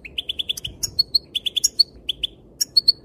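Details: Female European goldfinch calling, said to make the males dance: a quick series of short, bright, high chirps, some rising, in loose runs with brief pauses, over a quiet background.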